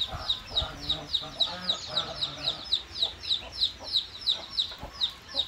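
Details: Gosling, a baby goose: high, thin peeping notes sliding down in pitch, repeated steadily about three times a second, with faint lower clucking sounds in the first half.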